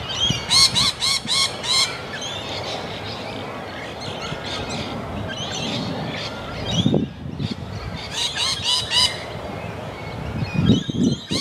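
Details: Sulphur-crested cockatoo giving harsh, raspy, broadband screeches in rapid bursts, one burst near the start and another about eight seconds in, with quieter scratchy calls and low rumbling background noise between them.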